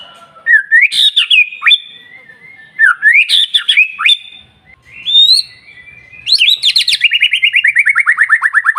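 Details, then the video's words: White-rumped shama singing an intensely persistent lure song meant to stimulate other shamas into singing: loud rich whistled phrases with swooping rising and falling slides, ending in a fast, evenly spaced run of many descending chattered notes. "PANCINGAN MURAI BATU SUPER NGOTOT"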